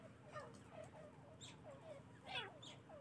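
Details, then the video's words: Partridges calling in the morning, a series of short hoarse rising notes repeated roughly every half second, with a few sharper high squeaky notes near the end over a low background hum. "تیتروں کی صبح کی خوبصورت بولیاں"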